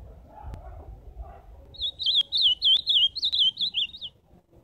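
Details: Singing ultramarine grosbeak, recorded live: a bright sequence of high, looping whistled notes, each sliding up and down, strung together for over two seconds after faint background murmur.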